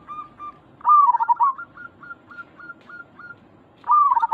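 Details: Local zebra dove cooing to draw a response from other zebra doves: short whistled notes near one pitch, then a loud rolling, warbled coo, a string of evenly spaced clipped notes, and another rolling coo at the end.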